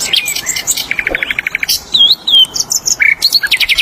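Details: Song of a free-living flycatcher: a fast series of clipped high notes, then slurred whistles and a short trilled burst, all bright and busy.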